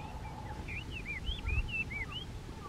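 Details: A Chinese hwamei in February sings a quick run of about ten clear, arching whistles, each swooping up or down, over a low background rumble.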